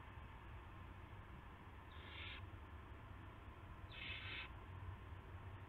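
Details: Owl at a nest before dawn on March 9, 2016, while prey arrives; two hoarse, hissing screeches about two seconds apart sound over a continuous low hum.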